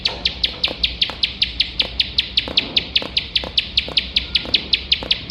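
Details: A bar-winged prinia delivers its continuous 'nembak' song, a recording used to train competition birds: a fast, steady series of piercing high chirps, about four per second, and faint clicking below.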